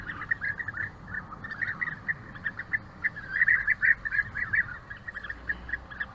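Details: European bee-eaters around a courtship gift: a steady stream of short, rolling, mid-pitched trilled notes from several birds, overlapping and repeated rapidly, with a soft background rumble.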